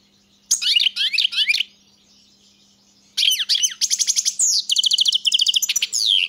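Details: Singing European goldfinch: an opening burst of sharp twittering notes, a pause, then a long rolling sequence of rapid repeated chirps, buzzy trills and sliding whistles; a faint constant low hum in the background.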